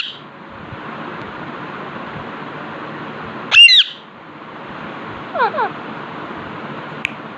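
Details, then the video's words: An Alexandrine parakeet sitting in front of a mirror indoors gives one loud rasping squawk, then a pair of softer, quick descending chirps a couple of seconds later; room is otherwise quiet with faint hiss. "Alexander parakeet talking parrot chilling Infront of mirror"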